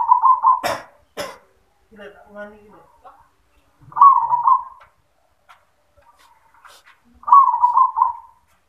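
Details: Caged zebra dove in 'yoman' style song: three short purring, trilled coo phrases spaced about three seconds apart, with sharp knocks and a person talking briefly between the first two.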